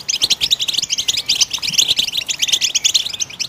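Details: Goldfinch song used to stimulate other birds to sing: a dense, fast, continuous twittering of high, bright, tinkling notes and trills with no pause.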